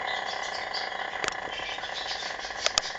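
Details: Long crowing rooster from Vushtrri, Kosovo, still sustaining a single even, drawn-out crow with a bright harmonic tone, broken only by a few sharp clicks near the end.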